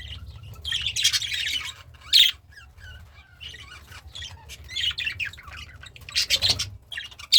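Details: A cheerful budgie eating greens gives scattered bursts of buzzy chirps and squeaks between quieter gaps, with a few sharp clicks.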